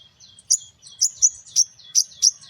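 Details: Morning song of a sogon pastol, meant to lure small birds: a steady high thin tone beneath five or six sharp, slurred high chirps spaced about half a second apart.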